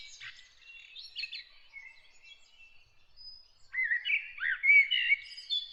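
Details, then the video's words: Bird song early in the morning: faint, distant twittering at first, then a loud close burst of swooping, warbled chirps and whistles. "Bird singing early in the morning"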